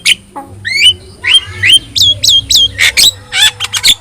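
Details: Javan myna, yellow-eyed, singing energetically as training material for other birds: quick series of hooked, upslurred whistles and harsh squawks, roughly three per second, over faint low humming.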